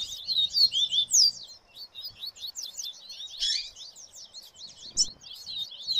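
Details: Viviti song of a Rusty-collared seedeater among chattering papa-capim and other seedeaters: a loud run of clear whistled, downslurred notes, then a steady stream of rapid high twitters with a short harsh burst midway.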